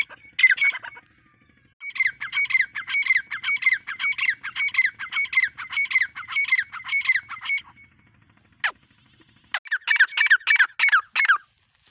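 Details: Grey francolin, the Dakhni teetar, repeating a harsh, ringing squawk in a steady run of notes, then a pause and a second quicker burst toward the end.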